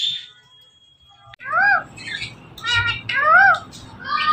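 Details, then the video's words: Pet Indian ringneck parrot speaking in a loud, nasal, squawky voice. Short arched syllables rise and fall in pitch and come in two bursts after a quiet start with a faint steady tone. "So Much Speaking Parrot Talking"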